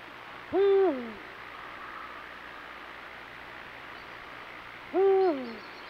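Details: Deep hoots of a Eurasian eagle-owl during courtship on moonlit breeding-season nights. Two low, steady notes each end in a falling slide, spaced about four seconds apart, over faint background hiss.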